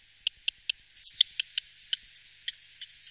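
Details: Black redstart in the Wittlicher Tal, 2018: a series of about ten short, dry, clicking ticks, evenly spaced at first and then slowing, with one brief higher squeak in the middle. The background is quiet.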